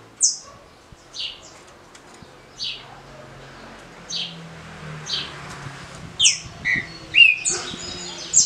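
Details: Green-winged saltator with the short, smooth Paraná-style competition song. It opens with soft, spaced high notes about once a second, then louder downward-slurred whistles near the end.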